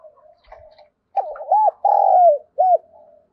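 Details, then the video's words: Spotted dove used as a decoy to lure wild doves, singing in the 'thổ' voice style; a mellow phrase of two short wavering notes, one long drawn coo and a brief closing note, with faint quieter coos before. "Chim Cu Mồi Gáy Gọi Bổi"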